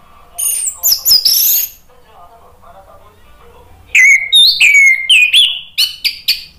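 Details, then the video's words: Caged orange-headed thrush in full song meant to spur rival birds to sing: an opening burst of high whistles, a quiet murmur, then a quick series of rising, ringing whistled notes. "ANIS MERAH GACOR NGEPLONG memancing EMOSI jadi NYAUT BUNYI"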